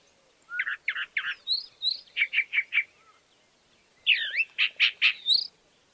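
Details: Varied song of a chalk-browed mockingbird: phrases often given in threes. Harsh chattering notes, high swooping whistles and crisp repeated chips, with a short silence before a final burst of loud, emphatic notes.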